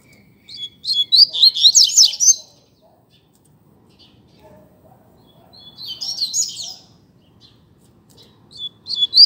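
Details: Coleiro singing contest: a loud run of quick, tumbling high notes, a quiet gap, then a second fast jumbled phrase and a last sharp start of song; faint low background hum.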